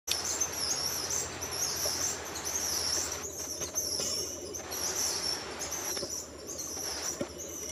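White-whiskered puffbird giving thin, very high whistled notes over a steady hiss of forest background noise.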